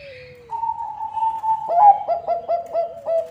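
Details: Song of a Bangkok-type zebra dove, used to lure other zebra doves; a long level whistled note leads into a rolling series of five or six rhythmic, bubbling coos.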